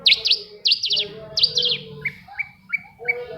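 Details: Long-tailed shrike song aimed at prompting silent shrikes to sing: loud bursts of rapid high chirps, then a row of short rising whistled notes repeated about every third of a second.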